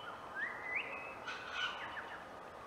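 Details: White-winged choughs nest building at Clunes, Victoria, Australia, 27 September 2021: thin whistled notes sliding upward, then a softer falling whistle a second later, over a steady outdoor hiss.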